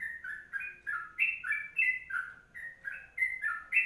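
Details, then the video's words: Short stretch of a sooty-headed bulbul's long kongslet song: bright bubbly whistled doublets, some rising sharply, delivered in a fast, uneven run with light high clicks. "Masteran Trucuk Kongslet Panjang"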